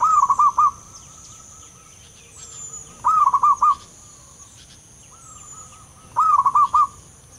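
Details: A wild zebra dove gives soft, rolling cooing phrases of about four quick notes, repeated every three seconds, with fainter answering coos over a steady high insect hum.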